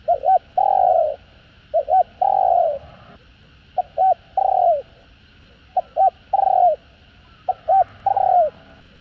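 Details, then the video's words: Cu gáy, the spotted dove, calling in the 'giọng hạp' style from a full calling, urging and cooing set played to stir wild-caught birds: five quick phrases of two short hoots and a falling, drawn-out coo, repeated roughly every two seconds. "Tiếng Cu Gáy Giọng Hạp BổI ĐỦ BÀI [ GÁY GỌI,THÚC,GÙ ]"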